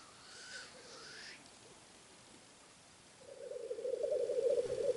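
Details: A male Black Grouse displaying on a lek before dawn, calling to attract females, gives a low, continuous bubbling coo that swells for the last two seconds, after a faint higher hissing sound.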